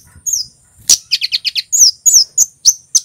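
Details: A red male kemade, the Javanese Scarlet-headed Flowerpecker, in vigorous cit keres song. Thin high chirps lead into a rapid four-note stutter of lower buzzy ticks, then several loud, piercing downslurred tsit notes.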